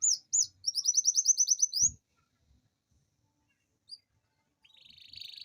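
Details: Canary's rolling lure song for prompting idle canaries: two short chirps then a quick, steady, high trill of about two seconds, a long pause with a soft knock, and a quieter buzzy trill starting at the end.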